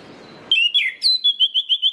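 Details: Orange-headed thrush singing, a recording used to set other birds of its kind singing. Clear, high whistled song: a few slurred, falling phrases, then a fast series of short bright notes repeated about every eighth of a second, after faint low rumble.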